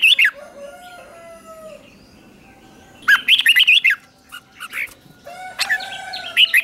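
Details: Red-whiskered bulbul giving fighting-style song during morning training. Three bouts of loud, rolling warbled notes, with drawn-out thin whistles and a soft low whistled note from other birds in the gaps.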